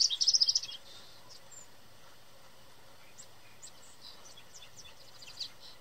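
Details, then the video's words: American goldfinch singing loudly from a tree in spring, a presumed mating song: a quick burst of loud, high, rapid chirps at the start, then faint scattered high notes over a quiet background. "American Goldfinch Singing Loudly In Tree"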